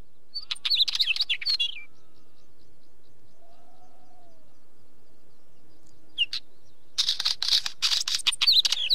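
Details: Wheatear delivering two bursts of scratchy, rapid chattering notes, one at the start and a louder, denser one near the end, separated by several seconds of near silence.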